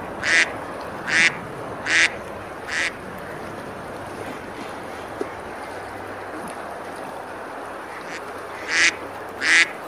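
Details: River ducks at Besalú, Girona, Spain, feeding and splashing on a summer day; four harsh quacks in quick succession, a long pause filled with water noise, then two more quacks near the end.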